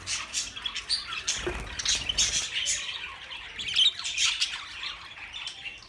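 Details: Many budgerigars twitter and squawk together, a steady, high, grating warble of short notes crowding one another, with a louder burst near the middle and a soft low thump early on.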